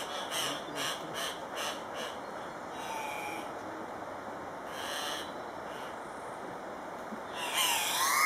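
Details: Andean cock-of-the-rock lek at Paz de las Aves in Ecuador: a quick run of harsh squawks over the first two seconds, scattered louder rasps after, and a sharp burst near the end.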